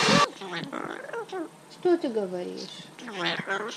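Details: Pet male Yellow-naped amazon parrot in New Jersey singing opera in the shower: warbling, voice-like tones gliding up and down in short phrases, after a loud abrupt burst at the start, with a faint room echo.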